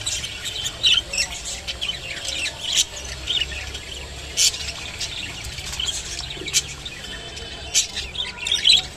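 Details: Rainbow budgerigar eating kolmi shak (water spinach): short, bright chirps and squeaky twitters, high-pitched and irregular, with brief louder bursts every second or so over a quiet background.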